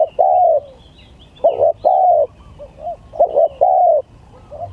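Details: Spotted dove in a gagap tindan versus klantan contest: paired phrases of a quick stuttered coo and a longer drawn falling coo, repeated every one to two seconds, with faint high chirping.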